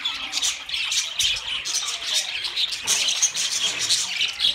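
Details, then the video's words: Budgerigars squawking and chirping together, a busy high-pitched twittering that rises into louder bursts now and then. "Beautiful Budgie Beautiful Budgies Parrot Talking"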